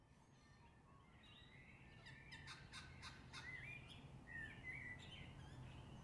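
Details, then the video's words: Birds singing at dawn in Melbourne, Australia, heard each morning: faint chirps and short whistled phrases, some rising and falling, scattered over a steady low background hum. "Melbourne, Australia Bird Song"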